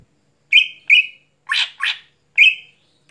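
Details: Greater green leafbird (cucak hijau) singing lively at night: two level whistled notes, a pair of harsh buzzy rasps, then another clear whistle, separated by short silences.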